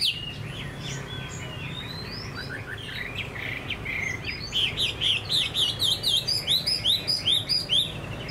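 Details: Caged Chinese hwamei song: soft, jumbled warbling that builds into loud, rhythmic, repeated whistled notes at a quick, steady pace.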